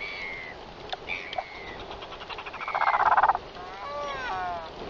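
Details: Royal albatross sky calls on arrival at the Taiaroa Head colony, 7:26 PM, 11 October 2021, mostly males awaiting their mates: thin whistled slurs, a loud harsh pulsed rattle, then wavering harmonic braying moans.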